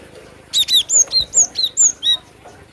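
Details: Cinereous tit delivering one loud phrase of about eight ringing, high whistles. Each note sweeps down and they are spaced evenly, roughly four per second, over a quiet background.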